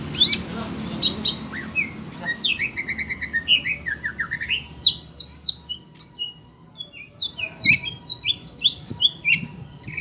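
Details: Agitated caged Oriental magpie-robin (kacer) reacting to other birds: a varied, rapid outpouring of whistles, slurred notes and sharp high chips, with a dipping then rising sequence and quick repeated notes near the end.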